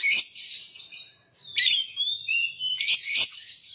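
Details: Short song from a lovebird: a buzzy shrill burst, then a gliding whistle that slides downward, followed by more harsh chatter.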